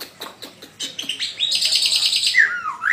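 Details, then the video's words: Black-winged myna (jalak putih) song: a string of dry clicks, then a loud harsh rattling buzz and ending in slurred, falling and rising whistles. "BURUNG JALAK PUTIH VOLUME YANG CERDAS"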